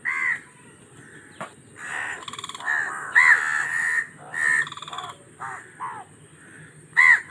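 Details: Raven giving scattered harsh caws and short croaking notes, spaced irregularly with quiet gaps, a few calls louder and ringing.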